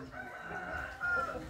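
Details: Rooster crowing, a sustained tonal crow held steady for over a second with a brighter rise near the end, over a low background hum.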